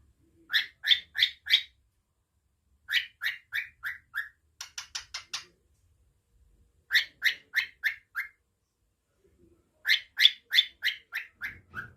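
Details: A pet cockatiel gives bursts of bright, repeated chirps, four to eight quick notes in each run, while being spoken to.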